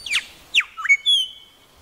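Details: Tasmanian grey shrike-thrush calling with two sharp downward-sweeping notes, a lower rising chirp, then a long, pure, level whistle.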